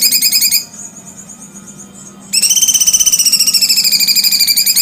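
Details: Cucak cungkok giving a rapid buzzy trill of evenly pulsed, harmonic-rich notes, broken by a short quiet gap before the trill resumes louder and steadier, slightly falling toward the end.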